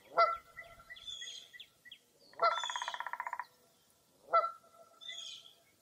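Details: Foggy early April morning at Mirror Lake State Park, Baraboo, Wisconsin. Three loud harsh calls and a buzzy pulsed trill stand out, with high chirps and whistled phrases behind them.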